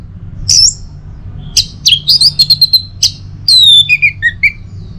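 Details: Morning song of an orange-headed thrush from Singaraja, North Bali, meant to encourage other birds to sing: bright whistled notes, a run of rapid repeated chips, then a descending slurred phrase, with low background hum.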